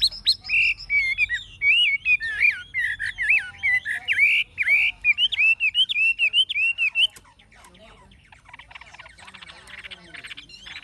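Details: Old wild-caught Chinese hwamei with a fig-leaf tail, singing in the true forest voice style: a fast run of loud, wavering whistled phrases for about seven seconds, then near quiet with soft faint notes.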